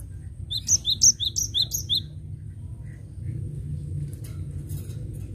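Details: :Cinereous tit, vigorous 'gacor' song used as a lure: a quick run of about five high, sharp two-note whistled phrases in the first two seconds, then only faint background hum and rustling.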